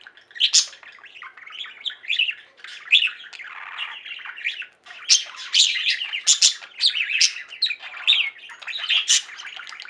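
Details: A pet budgerigar flock singing and chirping: dense, continuous chatter of sharp clicks, squeaky chirps and buzzy warbled phrases with loud accented peaks, overlapping voices throughout.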